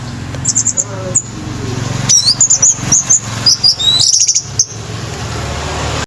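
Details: Scarlet myzomela delivering a series of very high, thin, quick chirps and short whistled notes in rapid bursts over steady background hiss.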